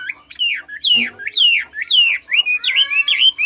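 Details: Chinese hwamei of the mộc chuyền kind, praised as singing very well; clear, rich whistles sliding up and down in quick repeated phrases, roughly two per second, ending in a twisting warble.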